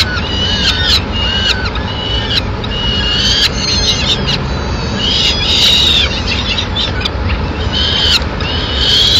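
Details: Peregrine falcon female bringing an afternoon meal to her chicks in Madrid, 29 April 2016; harsh, chattering calls with rising and falling harmonic notes repeat through the clip over a steady low rumble.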